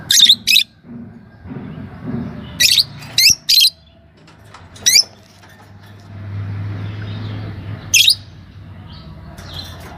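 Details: A pair of green Fischer's lovebirds gives scattered shrill, high chirps, singly and in quick doubles and triples, with gaps of a second or more between them, over a low background hum.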